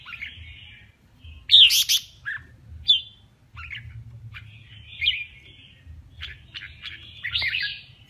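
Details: Male red-whiskered bulbul singing in a contest: short, separated whistled and chattering phrases with bright, rising notes and pauses between bursts. A low steady hum runs underneath.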